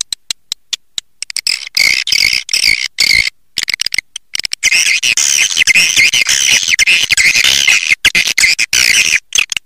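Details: Calls to attract swiftlets: scattered clicks at first, then a long stretch of dense, loud, rasping twittering chatter.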